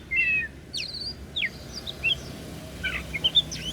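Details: Kacer daput, an oriental magpie-robin, sings a brief burst: an opening buzzy doubled note, then sharp downslurred whistles and scattered quick chirps, thinning toward the end, against a quiet low background rumble.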